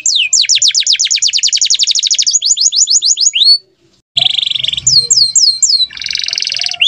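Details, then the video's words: Atlantic canary song used to train other songbirds: a long rapid trill of sharp downswept notes, a short pause, then buzzy rattles and rising slurred whistles, with a faint low bump. "KENARI GACOR DOR 2 JAM FULL TANPA IKLAN"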